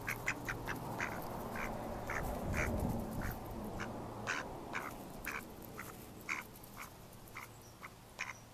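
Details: Mallards in May 2014 give repeated short quacks, roughly two to three a second and uneven in spacing. A low rumbling noise swells in the middle of the recording.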